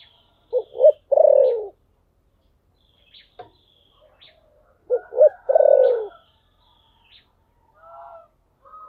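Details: Spotted dove cooing in the voice style called "thổ sấm": two phrases of short low coos, each ending in a longer drawn-out, falling coo, about four seconds apart, with faint chirps from other birds between them.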